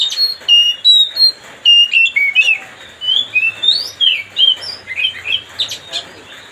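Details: Oriental magpie-robin, called kacer, sings to stir up another bird: a continuous fast medley of crisp whistles, chirps and trills, varied in pitch and nearly without pause.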